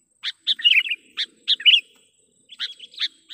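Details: Sooty-headed bulbul lure call for drawing in wild birds: short, sharp chirps alternate with quick, slurred warbles at roughly one-second intervals, then a softer closing phrase.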